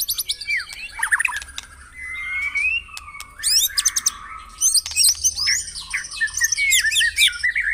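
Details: Morning singing of a white-rumped shama, used to prompt caged birds to sing: varied whistled slurs, rising and falling, broken by sharp high clicks and scratchy notes, ending in a jumble of bright, twisting whistles.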